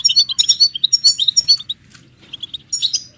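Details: Stimulating goldfinch chatter of mating and readiness calls for caged males: rapid sharp tinkling notes for about one and a half seconds, a short lull, then a fresh burst of high chirps.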